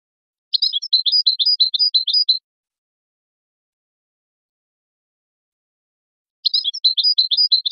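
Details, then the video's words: Goldfinch singing for song training and breeding stimulation: two bursts of rapid, evenly spaced high tinkling notes, each lasting about two seconds, separated by several seconds of silence. "improving goldfinch singing skills exercises and training"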